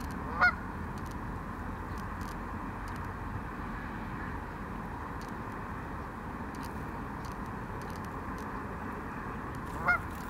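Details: Canada goose on a lake, swimming, then spreading its wings and flying away, giving two single nasal honks, one at the start and one near the end, over a steady rush of wind or water.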